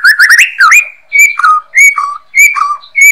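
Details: Master song of a white-rumped shama (murai batu) for training songbirds: loud clear whistled phrases, quick rising notes followed by steady and falling whistles, repeated roughly every half second with short gaps.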